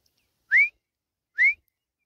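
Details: Female grey francolin giving two clear, upslurred whistles about a second apart, each rising briefly and ending abruptly, with silence between.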